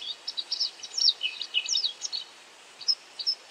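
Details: A White Wagtail (Motacilla alba) calling constantly while catching insects, possibly ground calls. A quick run of high, sharp twittering notes over about two seconds, then a few isolated chips over a faint hiss.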